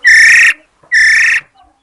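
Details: Female Chinese hwamei, recorded 22 July 2021, gives two loud, clear whistled notes about half a second each. Both are steady and evenly pitched, separated by a short pause, with no other sounds.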